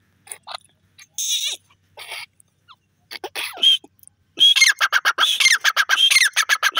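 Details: Grey francolin calling: scattered harsh notes at first, then from midway a loud, dense burst of rapid, pulsed, grating calls repeated quickly to the end.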